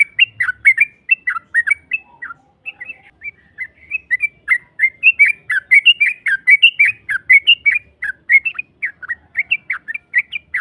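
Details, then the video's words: Long 'ropel' song of a yellow-vented bulbul, played to stir a rival into replying. Quick chains of liquid, warbling whistles run almost without a break for ten seconds, slightly rising in pace toward the middle. "Pancingan trucuk NARUNG NEMBAK Ropel panjang BUAT Mancing EMOSI LAWAN PASTI nyaut Ngropel Seketika"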